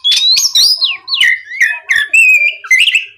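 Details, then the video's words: Oriental magpie-robin in full, energetic song used as a lure to prompt other magpie-robins to answer: loud whistled notes sliding up and down between high and mid pitch, with rapid clicks and short bursts repeated in quick succession. "MEMANCING KACER BAHAN AGAR MAU BUNYI LANGSUNG NYAUT, SUARA PIKAT BURUNG KACER GACOR NGEPLONG"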